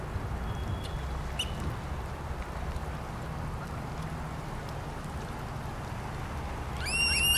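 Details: Black oystercatchers at Porteau Cove on February 14, 2013: one bursts into a few loud, sharp, piercing whistles at the very end, over a steady low rumble of surf or wind.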